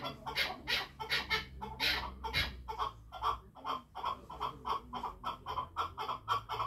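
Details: Chukar partridge giving rhythmic, rasping clucked notes in quick pulses, somewhat harsh and overlapping, over a steady low rumble of background noise.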